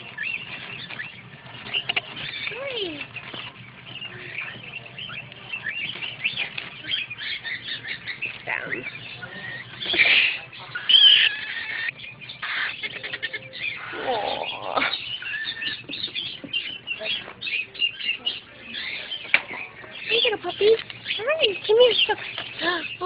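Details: Young monk parakeets at a pet store keep up a dense, raspy chatter of overlapping squawks, with a person speaking softly.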